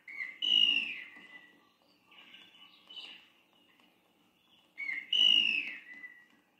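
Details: Antbird cries, told as spurring a tribe on during its march: harsh, slurred notes with a bright overtone, given in two loud bursts about five seconds apart with quieter notes between them, over a faint low hum.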